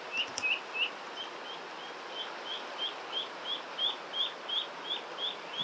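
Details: Lost Eastern spot-billed duckling calling while searching for its mother, who cannot be found; in its voice-changing stage. Thin high peeps repeated about three per second, steady and insistent, over a soft outdoor hiss.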